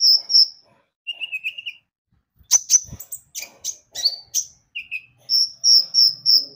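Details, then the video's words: High piping whistles and a short buzzy trill open this Javan white-eye lure song meant to set other birds singing, followed by quick chirps, clicks and a closing string of repeated high notes. "Pancingan Kicau burung konin gacor"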